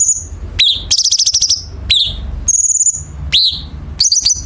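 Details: Chinese bulbul training song for competition birds, with dense sharp harsh fills. Piercing flat whistles alternate with downward-swooping chirps and a raspy, rapidly pulsed buzz, the phrases packed closely together.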